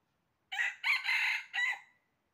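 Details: Red junglefowl crow recorded during trapping: one short note, then two long, bright, ringing notes and a fading final syllable, loud and clear over a silent background.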